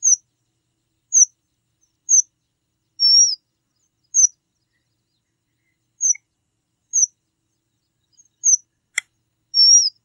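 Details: Red avadavat giving a rapid run of high chips at irregular intervals, mixed with a few longer wavering, slurred whistles, plus a single sharp click near the end.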